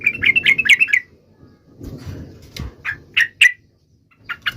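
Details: Yellow-vented bulbul (trucuk) song in a lively, sharp style: a fast burst of bubbly, chirping notes for about a second, then scattered louder squawky notes with pauses between them.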